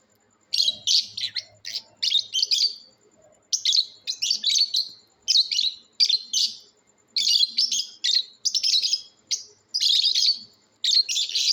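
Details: Lovebirds calling in a "natural sounds competition": shrill, harsh chirps in rapid bursts of half a second to a second, repeated with short pauses throughout, high-pitched and scratchy, with no other clear sounds.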